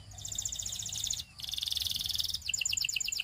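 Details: Russian singing canary giving buzzy, fast-pulsed rolls broken by a short pause, then a clearer series of bouncing two-part notes, against a low hiss.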